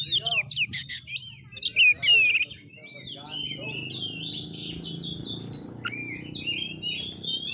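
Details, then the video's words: Oriental magpie-robin in 'tarung' fighting style, 'kura kura' variant: loud harsh chattering notes and rising whistles at the start, then a softer flowing run of warbled phrases over faint hum. "KACER NGEPLAY TARUNG|GAYA KURA KURA"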